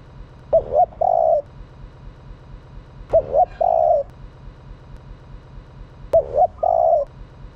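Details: Female spotted dove calling to stimulate males. Three matching cooing phrases come roughly every three seconds, each a short two-part hoot then a drawn-out mellow coo, with faint low background hum.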